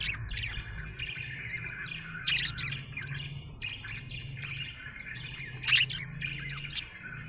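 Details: Happy budgerigar chirping: a busy, uneven stream of twittering notes and quick chirps, with one louder squawk-like call near the end and a low hum underneath.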